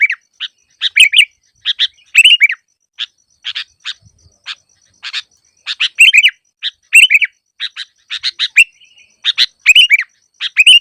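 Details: Sooty-headed bulbul, recorded as trapping lure song: scattered sharp chirps and short bubbly warbled phrases, irregularly spaced, loud and clean with no other sounds.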